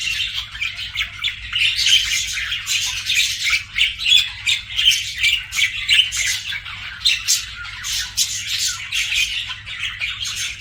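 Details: A fast, busy run of short scratchy chirps from pet budgerigars, nearly three notes a second, swelling and fading in waves of harsh twittering.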